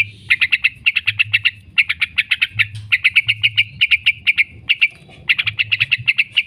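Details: Yellow-vented bulbul chattering song, known as 'ngekek', recorded as a lure for caged birds: fast clusters of bright staccato notes in phrases about a second long, separated by brief pauses, with a low hum beneath.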